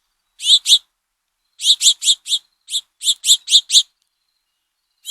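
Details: House finch fledglings, fresh out of the nest, beg while the red-headed male feeds them; trail camera recording of rapid, raspy high chirps, a pair first, then a steady run of about nine, another starting at the close.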